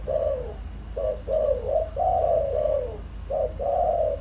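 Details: A decoy spotted dove cooing to excite wild birds, giving a string of soft, throaty notes. Short clipped coos alternate with longer, drawn-out ones that sag in pitch, nearly continuous with brief gaps.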